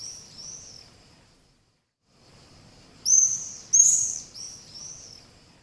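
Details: Swallow calling: a soft high twitter fades into silence, then two loud piercing chirps followed by two quieter slurred notes, all very high-pitched over light hiss.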